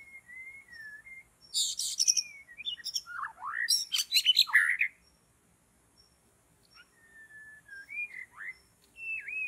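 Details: White-rumped shama song recorded while trapping birds in forest: a clear whistled opening, then a burst of harsh buzzy and chattering notes with slurred whistles, followed by quieter drawn-out whistles and rising notes.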